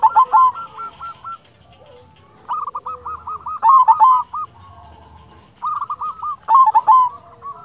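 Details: Zebra dove of the local silver type singing energetically to provoke and lure other doves: three phrases of quick repeated hooked cooing notes, each with a louder rolling accent, separated by short quiet spells.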